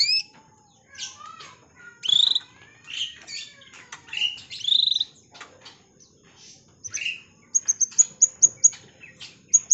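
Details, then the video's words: Canary in breeding condition singing to call a female: a varied run of sweet whistled phrases, rising and falling slurs and short buzzy notes, ending in a series of sharp high repeated chips. "suara burung kenari birahi panggil betina"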